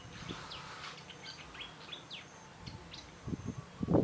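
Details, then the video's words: Forest bird near Phu Sing, Sisaket, Thailand, giving a quick series of short downward-sweeping chirps and twitters, then low thumps and rustling noise toward the end. "Singing Bird - Forest Birdsong"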